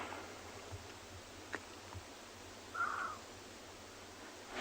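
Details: Bateleur eagle calling at sunset, 7 July 2020, Tswalu Kalahari Reserve, South Africa: a single short, harsh, barking mid-pitched note under half a second, against steady vehicle hiss and faint clicks.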